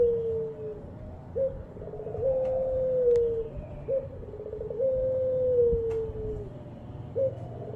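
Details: Steady cycle of coos from a Javan-kept ringed turtle dove (puter): short sharp upward note, a bubbling phrase, then a long level coo easing down, repeated about every three seconds, with occasional clicks.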